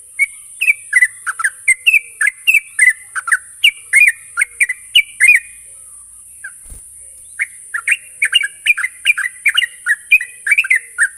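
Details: Sooty-headed bulbul (trucuk) lure song for prompting fast, continuous singing: lively chattering phrases of fluty, down-slurred notes, a gap near the middle with one dull knock, then the bubbling series resumes, steady high hiss throughout.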